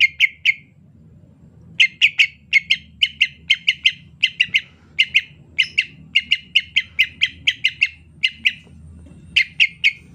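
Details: Greater green leafbird singing softly in the rainy season, a steady series of short, clipped chirps at a fairly high pitch, delivered in quick clusters of two to four notes with brief pauses, over a faint low hum.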